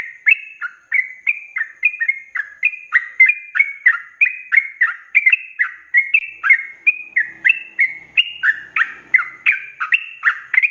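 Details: Sooty-headed bulbul singing in the rapid 'ropelan' style, offered as a training recording for cage birds: a dense, nonstop run of short bubbly whistled notes, dipping and rising, about three per second, clean background.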